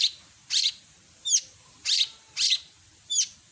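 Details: Long-tailed shrike singing with a full mimicked repertoire. Raspy high notes alternate with thin upward-flicking squeaks, about one every half second to second.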